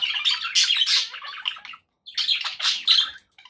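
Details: Domestic budgerigars giving rapid scratchy chatter and squeaky chirps, two bursts separated by a short silence, the second with bright whistled squeaks.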